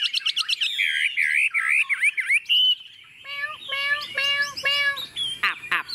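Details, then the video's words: Tame Chinese hwamei perched on a table delivering rapid rattled notes and rich rolling whistles, a sustained clear tone, then a series of ringing, evenly spaced whistled phrases ending in sharp chips. "Họa mi thuần xách tay đặt bàn tự tin hót"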